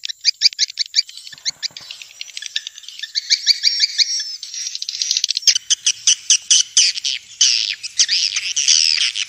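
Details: Lure sound of swiftlets from Vietnam for bird houses: soft, dense twittering at first, then louder clicking chirps and sweeping high rasps in quick succession.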